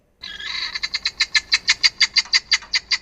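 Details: A southern African helmeted guineafowl opens with a long grating note, then gives a fast series of harsh, cackling notes, about six each second.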